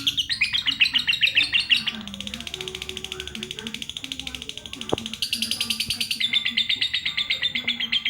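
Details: Lovebird chattering song: a fast, steady series of sharp, harsh chirps, about four each second, that runs through the whole passage and shifts pitch in sections, over a faint low background hum.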